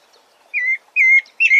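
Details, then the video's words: Thrush called sabiá singing three clear whistled notes, each a flat or gently falling tone, separated by short pauses, in a quiet setting. "Lindo canto do sabiá"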